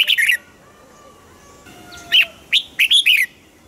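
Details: Caged Red-whiskered Bulbul singing, a recording used to excite caged birds: a quick chirpy phrase, a pause, then separate bright notes leading into a closing run of lilting, rising and falling notes.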